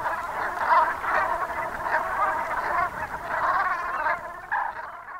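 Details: Brent geese in the Gulf of Morbihan, Brittany, at sunset in autumn, 7 November 2021. Many deep, grumbling calls merge into a thick flock murmur that thins slightly near the end.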